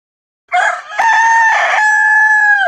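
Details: A rooster crowing once in a quiz of animal sounds: a harsh, drawn-out cock-a-doodle-doo with a rough opening stutter, then a long steady held note that drops off at the end.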